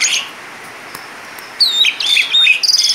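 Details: Asian pied starling in full voice with a rich fill-in song: after a quiet stretch, a burst of clear downslurred whistles, then a rapid string of bright, high chips closing the phrase.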